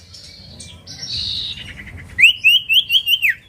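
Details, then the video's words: Common iora, a lure recording to prompt a reply: soft buzzy high notes, then a bright series of five rising-falling whistles in quick succession, ending in a downward slur. "pancingan ampuh burung cipoh bahan langsung nyautt"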